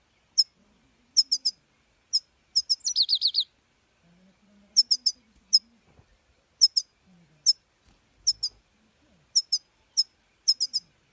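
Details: Saira (European goldfinch) song made mostly of crisp, high, single and paired chip notes at irregular intervals, with one short rapid trilled burst early on; faint low hum underneath.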